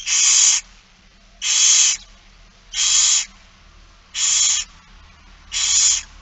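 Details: Barn owl young begging at feeding time, It Fryske Gea, 8 September 2019, around four in the afternoon: five evenly spaced, drawn-out breathy hissing screeches, roughly one every 1.3 seconds, over a quiet low hum.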